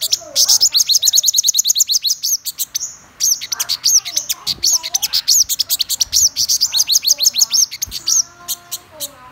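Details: Black-throated sunbird pouring out high, fast chirping phrases of sharp ticks and whistled upslurs, broken by one short pause, with a few faint softer notes near the end.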